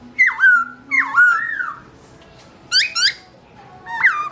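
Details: With the owner away, a black-throated laughingthrush (Garrulax chinensis) gives pairs of loud falling whistles, each sliding down then levelling off, with short pauses between the pairs.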